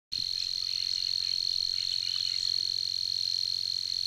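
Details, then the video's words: Savi's warbler at Tancat de l'Illa giving its persistent song: an unbroken, even, high buzzing reel at one steady pitch, held at constant loudness throughout, with faint low rumble beneath. "BUSCARLA UNICOLOR en el Tancat de l'Illa - Parte 2 | 🎵 CANTOS DE AVES"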